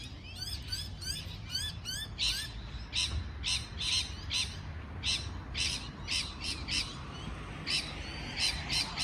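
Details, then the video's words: Parrot chirping in quick bursts of sharp, high, broadband notes, with a few clearer whistled notes at the start, over a steady low background rumble. "美丽的鹦鹉鸣叫beautiful parrot chirping sound call"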